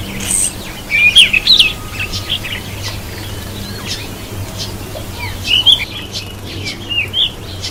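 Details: Cape robin-chat bathing near sheltering vegetation; two short bursts of high, thin, twittering chirps, one near the start and one later, over a soft steady background hiss and low hum.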